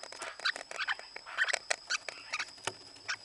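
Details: A lineolated parakeet in breeding season gives rapid, scratchy chattering chirps in quick uneven bursts several times a second, mid to high pitched, against a quiet indoor background.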